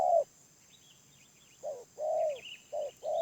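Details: Wild spotted dove with a medium voice: a coo, a short pause, then a clipped note and a longer falling coo, followed by another short-long pair. Soft high twittering from other birds behind.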